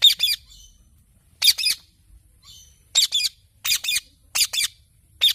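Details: Parrot calling in harsh, double-pulsed squawks, each burst two quick notes, repeated at irregular intervals about every second, with faint softer chatter between bursts.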